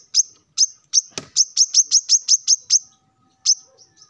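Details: Male plain-throated sunbird singing persistently in the morning, calling rivals: a run of about ten sharp, high, evenly spaced chipping notes, with one dull knock partway through, then a pause and a few more notes.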